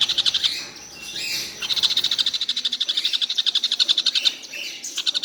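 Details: Collared kingfisher calling all day without stopping: long trains of rapid, harsh, clipped notes at high pitch, several per second, with short breaks near the start and around the two-second mark.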